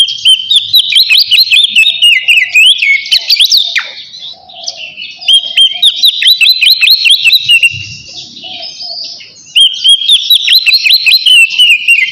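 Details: In ngeplong style, an oriental magpie-robin calling a rival repeats bright whistled phrases three times, each a fast string of high rising and falling notes followed by a short pause, clear and loud throughout.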